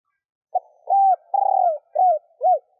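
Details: Female spotted dove cooing to stimulate males: a short lead note, then a low rippling drawn-out coo and three rounded falling coos, all mellow and mid-pitched, in silence.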